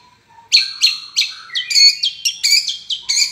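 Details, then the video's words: Long-tailed shrike in full song: a rapid series of harsh, scratchy, high-pitched chattering notes, each starting sharply and fading, repeated at a quick, uneven pace after a soft low whistle at the start. "cendet gacor manteb banget"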